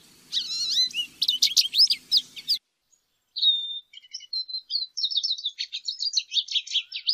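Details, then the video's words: Lesser goldfinch singing a high, rapid twitter of sliding chirps and buzzy notes, broken by a one-second pause before a second run of quick varied notes; a faint low hum sits underneath the first half. "Jilguero Aliblanco Canto! Llamado! Sonido! - Lesser Goldfinch Song"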